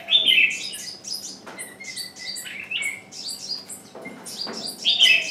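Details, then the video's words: Decoy bird calling persistently to attract wild birds that never arrive; loud rasping notes open and close the passage, between them a rapid stream of high falling chirps and short whistles. "Chim mồi kêu mãi mà bổi vẫn không vào"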